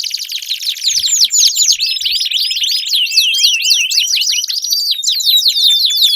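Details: Lure song of a canary intended to make a silent canary start singing: a soft buzzing roll leads into a long run of crisp downward-swooping whistles repeated roughly four times per second.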